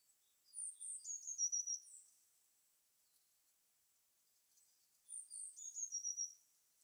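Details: Songbird in natural habitat singing a high, thin phrase of whistled slurs and a rapid trill, lasting about a second and a half, repeated after a four-second pause.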